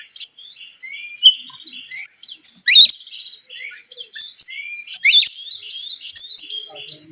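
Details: Oriental magpie-robin singing a provoking lure song: rising whistled slurs and twittering phrases, punctuated by two loud harsh bursts and scattered clicks.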